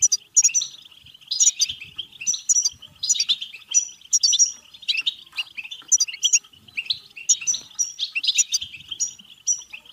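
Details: European goldfinch song aimed at stirring goldfinches to sing and breed: a steady, rapid twitter overlaid with repeated high whistled notes in tight clusters, heard without a break.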